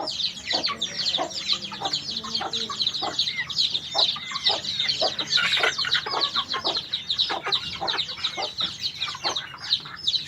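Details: White-eye song delivered as a rapid, restless flow of high chirps, squeaks and trills, roughly two notes a second with many overlapping extras, against a low droning background.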